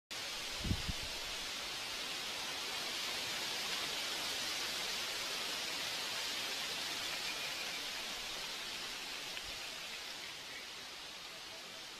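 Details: Steady broadband hiss like wind through leaves, with a couple of soft knocks near the start and no animal calls.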